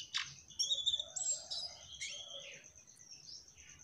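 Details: Mugimaki flycatcher in lively song: a sharp opening chip, then a couple of high, thin whistled and squeaky phrases fading into softer twittering.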